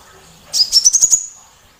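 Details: One brief phrase of a small, loud sunbird kept as provocation material for other songbirds: a quick series of six thin, sharp notes stepping upward, fading into a high ringing tone.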